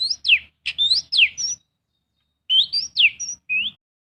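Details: Oriental magpie-robin song used as a lure to stir other birds into singing: two bursts of bright whistles, steep falling slurs and short rising notes, separated by a second-long pause.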